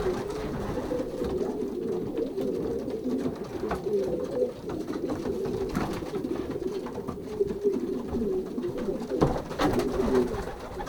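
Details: Indoor loft of young racing pigeons during pairing, Pruszków branch, Poland, season 2023; low cooing from many birds continues throughout, softer in places, with occasional wing claps and knocks.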